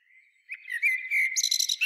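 A common blackbird gives one short song phrase: a mellow, fluted warble that ends in a thin, squeaky high twitter.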